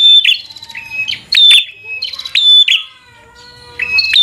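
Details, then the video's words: Bar-winged prinia song in fighter style to rouse a rival: high, clear whistled notes slipping slightly downward, each paired with a crisp click, in uneven bursts with a faint background hum. "Suara Burung prenjak | Prenjak Gacor Full FIGHTER Bikin Prenjak Jadi Emosi Lawan"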